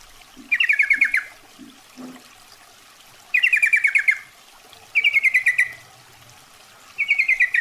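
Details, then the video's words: Lure recording of a female yellow-vented bulbul calling the male: four rapid chattering rattles of clipped, descending notes, the first and second longest, with a few soft low knocks and muffled thuds early on. "SUARA PIKAT,trucukan betina memanggil jantan"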